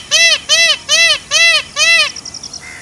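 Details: Five loud, evenly spaced, arched calls from a peacock wandering through forest, about two per second, followed by faint quick pulses and a soft whistle.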